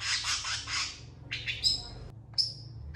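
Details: Long-tailed shrike singing actively and drawing replies from other shrikes: a fast harsh rattling phrase, then separate sharp notes and two clear high whistles sliding down, over a low background hum.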